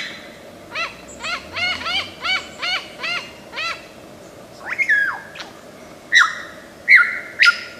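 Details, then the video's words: Mimicking lyrebird from Australian forests giving a steady series of about eight nasal, harmonic honking notes evenly spaced, followed by sharper squeaky and chattering calls with brief gaps between them. "Tembakan Lyrebird gacor 1001 macam suara"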